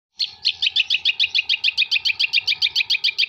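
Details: Long-tailed shrike, a wild-type Jember bird, singing a rapid run of sharp chirped notes about four per second, steady and regular, high and bright, over a faint steady hum.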